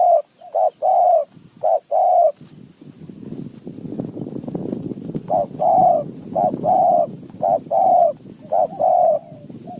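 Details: Spotted dove, a wild bird answering a decoy in high mountain forest, repeats short-long mellow coo pairs. A burst of rustling noise interrupts the middle before the steady cooing resumes.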